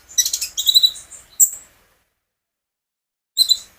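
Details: Magpie robin (konin), a captive bird recorded by its owner for training other birds to sing, gives loud high chattering and whistled notes in two bursts, a pause of nearly two seconds, then another short burst.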